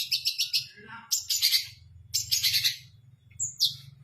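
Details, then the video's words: Caged long-tailed shrike (cendet) delivering loud 'tembakan' bursts with mimicry fill. Harsh, high chattering phrases come in three clusters about a second apart, each a rapid rattle of bright notes, over a low background hum. "cendet gacor full tembakan 🔥 isian"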